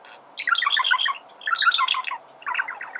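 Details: Male budgerigar warbling, meant to teach other birds to sing; dense bursts of quick twittering notes in two long phrases followed by a softer chattering run.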